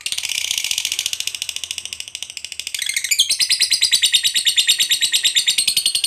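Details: Lovebird ngekek panjang long trill, played to prompt other lovebirds into singing: dense rapid pulsed chatter, high and harsh, shifting midway into a louder, brighter stretch of fast repeated notes.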